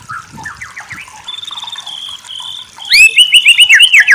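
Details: White-rumped shama song used as a master recording: varied clear whistles and short upslurred phrases, a steady high whistled note, then loud rapid rising notes repeated in quick succession, with faint low rumbling beneath.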